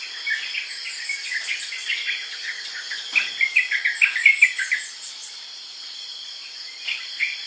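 A yellow-vented bulbul gives a quick burst of bubbly, chattering notes over about a second and a half, set against a steady high insect drone.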